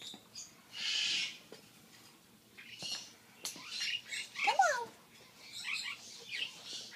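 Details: African grey parrot mimicking both male and female voices, with a quick mix of whistles, clicks, a breathy hiss and chirps.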